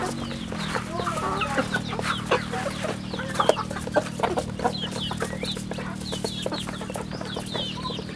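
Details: Chicks at a rural home chicken farm peeping busily, quick high downslurred chirps crowding together, over a steady humming drone.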